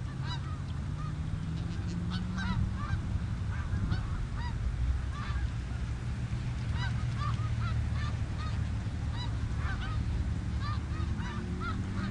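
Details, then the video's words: A flock of snow geese on the Richelieu River keeps up a dense, continuous chorus of overlapping nasal honks, with a faint droning hum and low rumble underneath. "Snow greese on Richelieu r"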